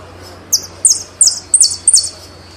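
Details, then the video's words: Saffron finch, the Argentine jilguero, delivers five separate high, bright notes, each sliding downward, spaced roughly a third of a second apart over a quiet background. "JILGUERO ARGENTINO"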